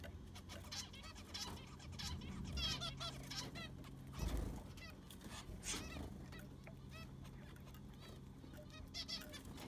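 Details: Aviary of zebra finches during sand replacement: a chorus of short nasal beeps from several birds, sometimes in quick runs, mixed with scraping, knocks and a low mechanical hum.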